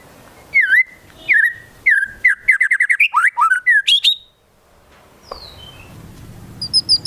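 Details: White-rumped shama singing gacor, in full song, with Konin and Kinoi fill-in sounds: loud looping whistles and quick chattering runs of varied notes, then a descending whistle and a few high sharp chips at the end.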